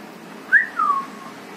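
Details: A pet parrot, kept in a household of cockatiels and budgies and playing on a rope, gives a short two-part whistle: a brief rising note, then a slightly longer falling one.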